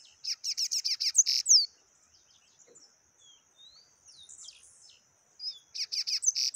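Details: Yellow-bellied seedeater in taquara rachada song: a rapid series of harsh, buzzy high notes, about three per second, then quiet with faint thin whistles, then the buzzy series starts again.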